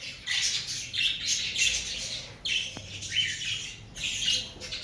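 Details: Loud, grating cockatiel calls during breeding season: long raspy screeches in three or four strong bursts, some with rising edges, set against a steady low background hum.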